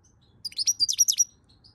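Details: European goldfinch singing in the 'chauffer' style, recorded May 2022: a quick burst of bright, twittering, slurred high notes, about nine in under a second, after brief quiet, with faint low background rumble.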